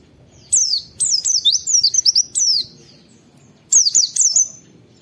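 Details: Oriental white-eye giving its "wit wit" phrases, a recording used as a tutor and stimulus for other white-eyes; a long run of quick, shrill downslurred whistles, then a shorter burst of three after a pause.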